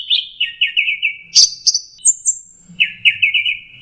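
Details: Orange-headed thrush song, used as a lure for stressed birds that stopped singing: fast slurred trilled phrases at mid-high pitch, a brief higher burst in the middle, then another run of quick repeated notes.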